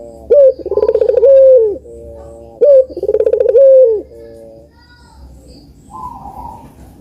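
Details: Two spotted dove song phrases about two seconds apart, played to prompt reluctant birds to sing. Each has a quick upslurred note, a rapid throbbing run of pulses and a drawn-out level coo. A faint higher tone follows.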